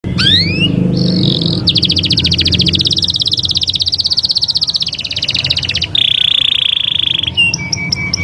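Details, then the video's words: Canary song: rising slurred notes, then a long, loud, rapid buzzing trill held for about four seconds, followed by a steady pure whistle and a few looping notes, over a constant low hum. "استمتع بأجمل تغريدات طيور الكناري"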